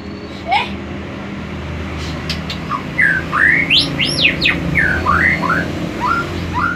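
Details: A tame, captive-bred white-rumped shama from Banyumas, Central Java, that has moulted twice sings a quick run of clear, varied whistles, with slurred notes sweeping up and down, over a low steady hum.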